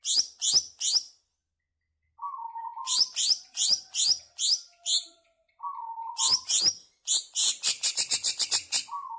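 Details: A greater green leafbird sings a long ngebren song to coax caged birds to sing: groups of loud, downslurred high chirps separated by short low whistles, finishing in a rapid, accelerating chatter of clipped notes.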